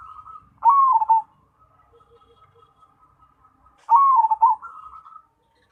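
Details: Zebra dove, a cemani perkutut, singing actively: two loud cooing phrases about three seconds apart, each a bright dipping coo with stuttered notes, linked by soft low trilling coos in a quiet setting.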